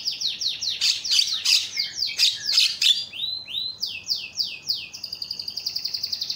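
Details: Screaming Javan myna call, used to lure silent mynas into calling: harsh, squawking bursts mixed with falling whistles, then a run of rapid, descending notes and a steady, fast series of short chips at the end.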